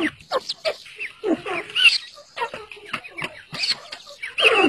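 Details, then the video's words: Partridges chirping while chicks fight with each other: a busy run of short squeaky chirps and harsh squawks, closely spaced and uneven, some dipping low and others rising sharply. "partridge Sound"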